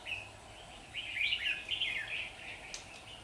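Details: Red-whiskered bulbul trapped while fighting, recorded 27 September 2019 in Vietnam; competitive singing: a burst of bright, warbling, slurred phrases mid-clip, over steady background hiss.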